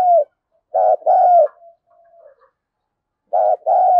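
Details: Spotted dove cooing, used as a decoy to provoke fighting: low, hollow coos in paired phrases, a short note then a longer one, repeated after a pause of about two seconds, with a faint softer coo between.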